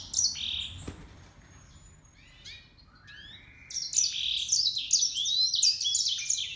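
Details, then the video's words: Grey singing finch crossed with canary gives a few scattered high chirps and rising notes, then breaks into a loud, rapid warbling song of bright trills and twitters. "طائر الياسمين يكبس كناري grey singing finch x Canary"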